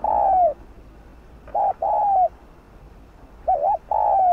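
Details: Cooing spotted dove, played to stimulate others to call: the tail of one falling coo, a full phrase of short note plus long descending coo, then the start of another wavering phrase, with little else heard.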